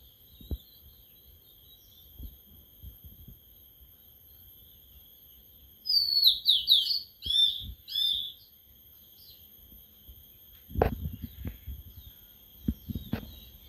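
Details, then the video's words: Sulingan laut, a bird kept for three days that has begun to sing. Around the middle comes a short burst of high, quick, falling whistles in clusters. Low knocks and handling thumps are heard before and after. "Baru Dirawat 3 Hari Sudah Mau Ngeplong🥰🥰🥰 Burung Sulingan Laut/Tledekan Laut"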